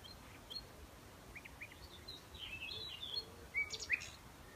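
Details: Common Nightingale in May Day morning song, recorded outdoors: a quiet, varied run of short high chirps, slurred whistles and clicks in irregular phrases that grows louder toward the end over a soft background hiss.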